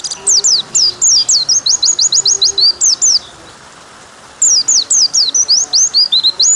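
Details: White-eye singing long high-pitched phrases of quick slurred whistles, about two seconds of song, a pause of over a second, then another rapid run of rising and falling notes.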